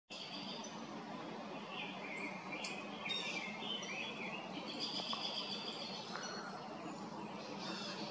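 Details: Indigo Bunting at West DuPage Woods forest preserve singing bright, high, sweet notes, some in quick pairs, among other birds' chirps over a steady hiss of wind or distant traffic.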